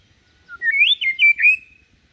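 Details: Calm, low-set white-rumped shama song used to coax fledglings into singing like adult birds: a brief soft note followed by a bright run of four looping, slurred whistles that rise and dip, ending in a fading tail, with near silence around.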